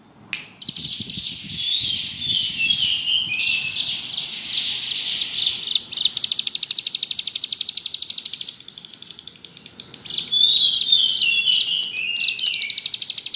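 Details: Bar-winged prinia in steady ngebrem song: extended dense buzzy trills and rattles, broken by short pauses, with high squeaky whistles mixed in.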